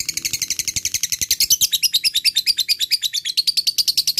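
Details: Lovebird fighter in long ngekek chatter, a lure to make quiet lovebirds answer: rapid shrill chirps, rough and mixed at first, settling into an even, fast rattle with a faint low hum in the first second.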